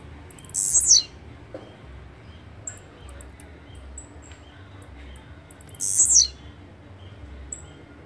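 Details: Two high, buzzy, rasping bursts of blue-black grassquit song, each under half a second and dropping sharply at the finish, spaced about five seconds apart, with faint distant thin whistles and ticks between.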